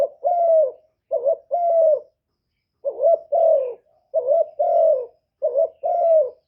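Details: Decoy spotted dove cooing to stimulate newly kept doves, recorded directly without background noise: low mellow coos in phrases of a short note and a longer drawn-out note, repeated four times about every 1.5 seconds.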